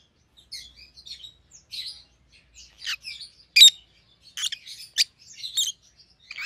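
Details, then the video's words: Rosy-faced lovebirds of white-headed opaline type, one pallid and one green, chatter with scattered thin chirps that build to louder sharp calls around three and a half and five seconds, in a quiet room. "Rosy-Faced Lovebirds - Chirping and Call Sounds"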